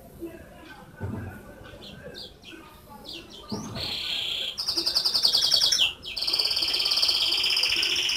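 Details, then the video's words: Canary singing. Scattered high chirps and short notes open the phrase and build into loud, fast, high-pitched trills of rapidly repeated whistled notes that carry on to the end. There is a faint background hum. "Beautiful whistling of canary"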